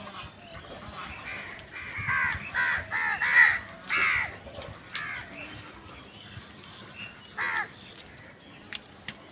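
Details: Crows calling in a village: harsh, hoarse caws with stacked tones, delivered in a rapid burst of about eight calls, then a lone caw a few seconds later, over faint rural background noise.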